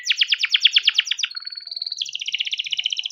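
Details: Canary singing a long rolling lure song for training young canaries: rapid pulsed trill, a brief steady whistle, then another fast buzzy trill at higher pitch.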